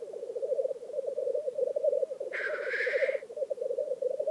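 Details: Black grouse at a lek in Vinje, Telemark: a steady low bubbling, cooing rookoo runs without a break, with one loud hissing sneeze-like whoosh midway.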